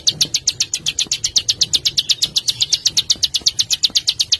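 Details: Small songbird on a master track for training caged birds: a steady, very high rattling trill of sharp downslurred notes, about four per second, continuing without a break.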